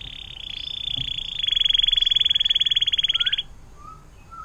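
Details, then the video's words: Atlantic canary in long fountain-style song, a tutor recording for other songbirds; a steady, very fast rolling trill lasting about two seconds, followed by faint whistled notes. "KENARI DENGAN LAGU AIR MANCURAN PANJANG"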